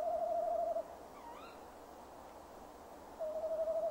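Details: Tawny owl, a male, calling near his nest box on a December evening in 2015. A wavering hoot fades out, a faint rising chirp follows in the gap, then a second quavering hoot begins.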